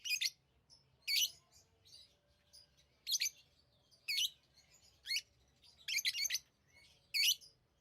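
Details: Tame pet lovebirds give loud, sharp chirps roughly once a second, each a short shrill burst, with a soft low hum in the background.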